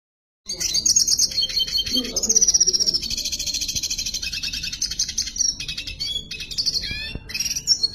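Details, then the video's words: Red siskin singing at length. After a short silence, a rapid, high twittering song starts and runs on without a break, mixing buzzy trills, sharp chirps and quick whistled notes. "Pintassilgo da venezuela cantando muito"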